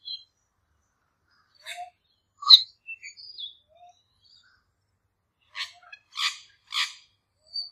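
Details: Young male Australian lyrebirds in a territorial squabble give scattered short sharp chips and clicks, a few thin whistled notes, then a run of four loud harsh rasping bursts spaced about half a second apart.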